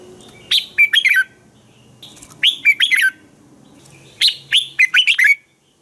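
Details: Morning song of a red-whiskered bulbul, used for training other bulbuls to sing: three lively phrases of quick, liquid, up-and-down whistled notes, each about a second long, spaced roughly two seconds apart.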